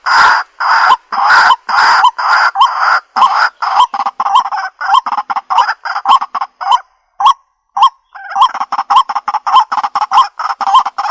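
Waterhen giving loud, harsh, nasal honking notes in a rapid series of nearly two per second, with a few brief pauses.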